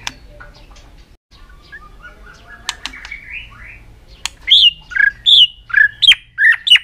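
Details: Aggressive white-rumped shama, flicking its tail and stretching out long song strings to stir up rival birds: after a few quiet notes and snaps, loud bold whistles ring out roughly twice a second, dipping and rising.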